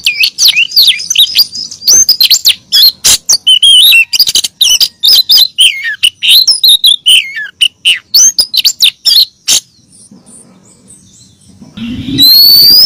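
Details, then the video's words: Female oriental magpie-robin calling the male, played as a lure: a fast, dense run of sharp chirps, trills and twisting high whistles for nearly ten seconds, a short pause, then a loud, thin, sustained high whistle. "Pancingan siulan kacer betina memanggil jantan"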